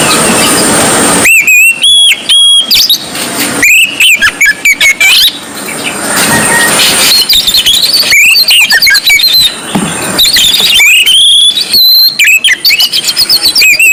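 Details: Oriental magpie-robin, white-breasted form, singing in the continuous 'gacor ngobra' style: loud, clipped whistled phrases and slurs in bursts separated by dense hissing noise, heavily distorted.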